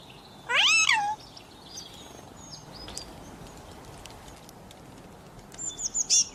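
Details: Pet talking parrot said to call mummy and ask for roti; one loud, harmonic, speech-like phrase that rises and then falls, followed by faint high chirps and a steady hiss of background noise.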